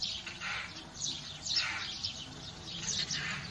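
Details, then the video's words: European rollers competing over a nest site at the roof of the Nyakvágó inn, Kiskunság, Hungary, in a days-long territorial fight while trying to get under the reed roof; harsh, rasping, hissy calls overlap about every half second over a faint low rumble. "Szalakóta "házfoglalás""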